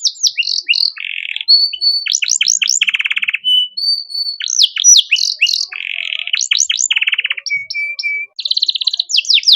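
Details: Canary master song used to tutor young songbirds, with ornate phrases: rapid downward-sweeping whistles, buzzy rattling trills, and steady whistled notes switching every second or so, clean and loud throughout.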